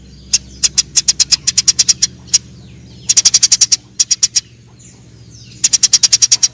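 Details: Fighting Eurasian tree sparrows giving sharp, high chirps, first spaced singly, then in tight rapid runs of six to eight notes with short pauses between them, over a steady low hum.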